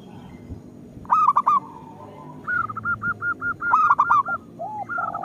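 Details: Zebra dove of a local strain singing to lure other zebra doves: a stuttered burst of three or four cooing notes, then a level train of quick repeated coos broken by another burst and lower arched notes.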